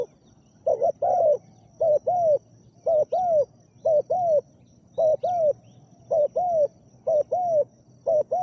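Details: Spotted dove calls as a decoy to lure a wild dove: repeated deep, mellow paired coos, each slightly rising then falling, in bursts roughly every second, over a low background hum and a steady faint high whine.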